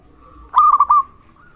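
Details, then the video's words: Local zebra dove in full voice, used as a lure and as therapy for doves that have stopped singing. One short burst of quick staccato cooing notes rises out of a quiet background with a soft steady tone. "perkutut Lokal gacor suara ini sangat cocok untuk masteran pancingan semua jenis burung perkutut"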